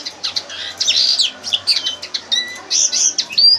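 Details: Red crossbill tutor song, used as a lesson for training captive birds: bright, high chirps and twittering notes with short whistled slides, in quick uneven bursts, recorded indoors with a faint low hum.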